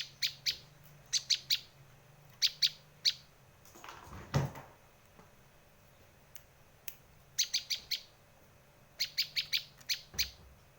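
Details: Bar-winged prinia lure and tutor call: clusters of sharp, high chip notes in bursts of two to four, broken midway by a brief rustling thump, then further rapid chip series resume.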